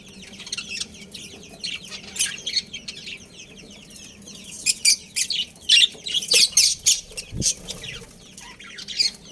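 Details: Breeding pair of budgies kept as pets, with scattered bursts of high chirps and brief squawks separated by quiet stretches and low background hum.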